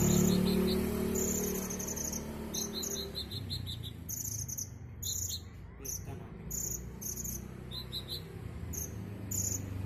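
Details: Two caged, prize-winning Van Hasselt's sunbirds in an Indonesian song bout from Brongkol village, kept with a female setting in a colony system, giving ngerik song: very high, thin chirps in rapid clustered bursts over a steady low hum.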